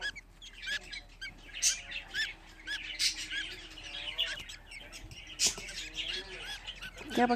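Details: Young budgerigars, fifteen gathered in one spot, giving a loose stream of shrill arched chirps and brief squawks, with a few louder peaks.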